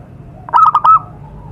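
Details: Wild zebra dove in its natural setting, used as lure sound: one short phrase of three or four quick, mellow coos running together, rising slightly, then silence.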